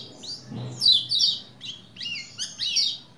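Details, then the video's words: Lombok white-eye sings rapid bursts of high, thin twittering, sliding chirps and trills tumbling together, with a faint low thump early on, used as a lure to stimulate males to sing; recorded 21/1/21. "Begini Pleci Lombok Gacor Memancing Bunyi Jantan Agar Cepat Gacor"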